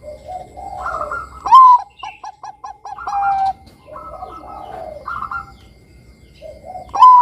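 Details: Bangkok-type zebra dove singing actively, used as a lure to get young doves singing: soft rolling coos, then a loud rising note followed by a quick series of short clipped coos, repeated, with a second quieter warbling coo phrase between bouts.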